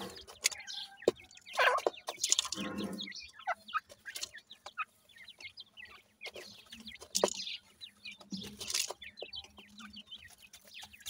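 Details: Grey francolin (dakni teetar) chicks feeding; scattered high, falling peeps alternate with scratchy rustles, sharp pecking clicks and a few low soft clucks.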